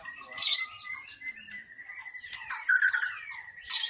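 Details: Forest white-rumped shama lure song, intended to attract wild shamas: steady sustained whistles under scattered buzzy high bursts, with brief loud harsh notes near the start and end.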